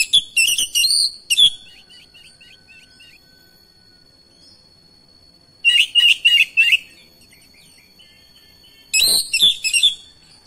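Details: Oriental magpie-robin joining in with another singing magpie-robin, belting out its repertoire. Quick clusters of loud, ringing whistled notes recur every few seconds, with a steady high tone and soft chirps in the pauses.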